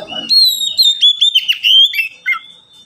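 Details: Oriental magpie-robin kept in a cage alongside two others, delivering a loud, sustained whistled phrase with rapid warbles and trills, ending in a short lower slurred note.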